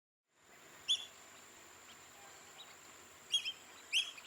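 Black-bellied whistling duck giving short, shrill whistled notes: a single one, then a quick double and another single, over a steady high hiss.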